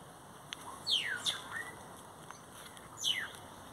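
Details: Great-tailed grackle (Quiscalus mexicanus) singing: two loud, sharp whistles sweeping steeply downward, about two seconds apart, with a fainter short rising note and scattered clicks between them.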